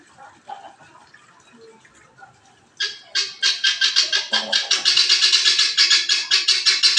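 A guineafowl bursts into harsh, grating cackles after a quiet start, about three rasping notes a second in a steady, rolling chant.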